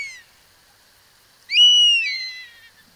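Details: European Honey Buzzard: the tail of one call fades out, followed by a long, pure whistle that rises abruptly, holds steady, then descends over more than a second in a plaintive falling glide.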